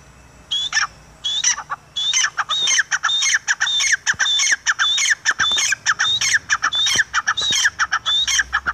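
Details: Francolin, locally called teetar, gives a steady run of loud grating squawks with a high whistled streak in each note, grouped into repeated phrases about 100 a minute for nearly nine seconds.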